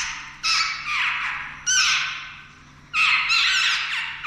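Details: Jungle babblers, chicks on the point of taking their first flight; grating, rasping squawks in dense overlapping bursts with short pauses between.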